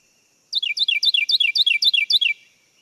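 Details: Carolina wren song: about eight loud, ringing 'tea-kettle' phrases in quick succession, each a bright whistled slur dropping sharply in pitch, ending in a rough descending slur considered diagnostic. No other sounds.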